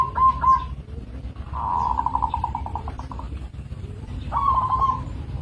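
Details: Local zebra dove giving tonal cooing phrases near one pitch, each breaking into a quick stuttering trill; three phrases with short pauses, steady low rumble of background noise underneath.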